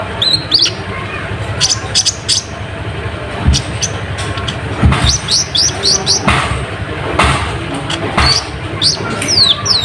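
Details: Kolibri ninja (konin) chattering busily as a lure for rival birds: dense high chirps, ticking clicks and short upslurred whistles throughout, with intermittent low thumps in the background.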